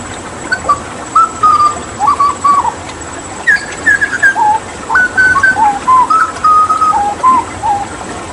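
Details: Hooded butcherbird, Papuan mimic used to tutor other songbirds, singing intensely with water therapy: two long phrases of rich fluty whistles, sustained level notes alternating with lower downslurred ones, separated by a brief gap.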